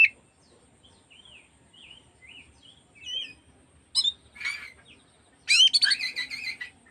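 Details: Oriental magpie-robin song played in the afternoon to provoke other magpie-robins into joining and fanning their tails: soft scattered whistled phrases, then louder harsh scratchy bursts after a pause.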